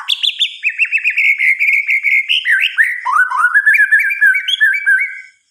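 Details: White-rumped shama singing at night: a steady stream of rapid, rolling notes roughly four per second, dipping lower midway before rising again into bright whistled phrases.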